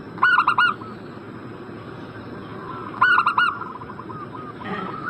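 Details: Zebra dove call used as a lure to prompt breeding-condition birds to reply: two quick bursts of four staccato cooing notes about three seconds apart over faint, steady background warbling.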